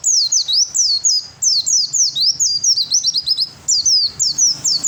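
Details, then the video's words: Male Oriental white-eye delivering a fighting song intended to make rivals answer: continuous high-pitched twittering of rapid falling slurs, dense and unbroken for five seconds, with slight low background hum. "suara pleci fighter yang lain pasti nyaut !!!"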